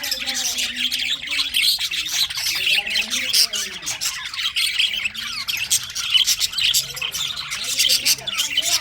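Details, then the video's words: Budgerigars in winter keep up a dense, high-pitched chirping and squawking chorus, steady throughout, with lower curving tones drifting beneath the chatter. "winter session Budgies parrot chirping sounds"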